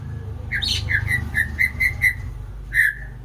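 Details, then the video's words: White-rumped shama (murai batu) giving a series of about eight short, clear whistled notes at a steady pitch, spaced roughly a quarter second apart, over a constant low background hum. "Burung Murai batu"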